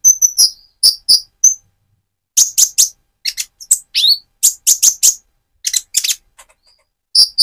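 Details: Speckled Van Hasselt's sunbird in full song, played to stimulate another bird: clusters of piercing high chirps separated by short silences, one falling slurred note midway, delivered in quick irregular groups.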